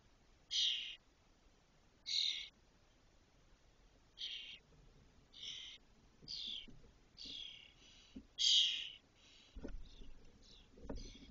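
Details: Spotless starling chicks at a cork oak nest in Doñana, Spain, spring 2023, on the day the first fledges: harsh buzzy high calls, spaced at first then tumbling faster and overlapping, ending with sharp knocks.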